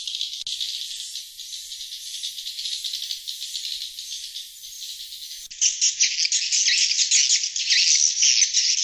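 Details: Glossy swiftlet lure call, played to attract wild swiftlets: a dense, buzzy, high-pitched twittering of rapid, overlapping chirps, with an abrupt jump to a louder, brighter stretch of chattering partway through.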